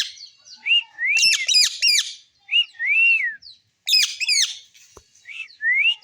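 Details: Parrot pair during feeding, giving squeaky rising whistled calls interspersed with rapid bursts of harsh chattering notes, in several bouts with short pauses.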